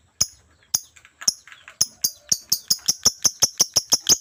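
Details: Chatty (gacor) lovebird producing shrill, sharp chirps that start spaced and irregular, then quicken into a steady, rapid run of about four piercing notes per second.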